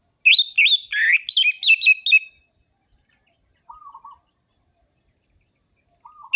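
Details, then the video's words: Rapid, sharp and rhythmic ngerol-ngeplong song of an orange-headed thrush, used to stir arousal in lazy birds: a two-second run of loud high chattering whistles, then silence broken by soft low wavering notes. "ANIS MERAH GACOR ABIS untuk pancingan bunyi burung anis merah yang loyo"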